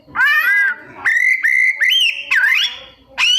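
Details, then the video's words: Kacer (Oriental magpie-robin) in mimicry song: a rich harmonic downslurred call, then long steady whistled notes stepping higher, a dipping slur, and a final rising note. "Cara Jitu Membuat Suara Kacer Gacor Rajin Bongkar Isian - 99% Burung Kacer Isian Mewah"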